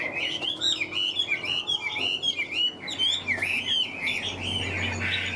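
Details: Chinese hwamei kept as a caged songbird, delivering a flowing series of sweet, wavering whistles that rise and dip continuously, with a short break before resuming.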